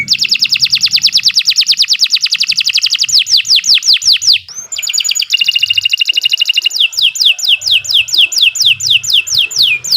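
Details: Extended canary song for teaching and stimulating other birds: a long rapid rolling trill, a short pause, another buzzy trill and then crisp downslurred whistles repeated in quick succession.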